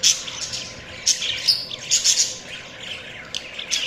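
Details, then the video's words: Budgerigars give sharp, high chirps and twitters in quick clusters. The chatter thins out toward the end before a final short burst. "Budgies Chirping sounds"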